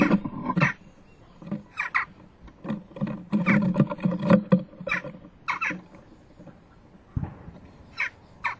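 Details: A young jackdaw fledging from a nest box at 11:19 on 12 June 2015 gives harsh, nasal begging calls in short bursts every second or so as parents bring food, over a low rumbling background.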